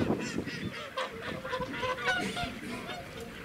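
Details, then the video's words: Noisy whooper swans recorded close up at Welney WWT in Norfolk, UK, 20 November 2017; dense overlapping honks and trumpeting notes crowd together, several birds calling at once in a steady, busy din. "Noisy Whooper Swans close up"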